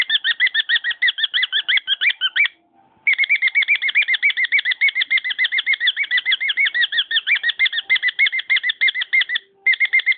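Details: Singing pet cockatiel: a long, nearly unbroken stream of fast warbling whistled notes, roughly three per second, with clear overtones and two brief gaps.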